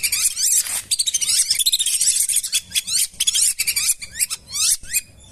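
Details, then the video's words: Lesser whistling ducks, played as a lure for wild birds in wetlands and rice fields: a busy stretch of thin, high whistles with clear down-slurred notes, breaking into shorter bursts of twittering toward the end. "Belibis Liar Auto Berdatangan | Suara Asli Jernih"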